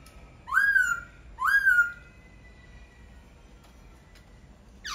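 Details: Two loud whistled notes from a laughingthrush, each rising then holding steady, less than a second apart, followed by quiet with a faint hum.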